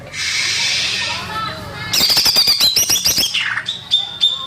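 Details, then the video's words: Greater green leafbird song, used as a lure for young birds: a hissing noisy opening, then a fast burst of dry clicking chatter with high, sharp notes, followed by a few short clear high whistles. "PANCINGAN CUCAK IJO BAKALAN"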